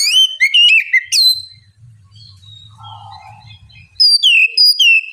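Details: White-rumped shama song used to coax a reluctant bird into singing: bright slurred whistles at the start, a quiet gap with low rumbling and faint buzzy notes, then high sweet whistled phrases return.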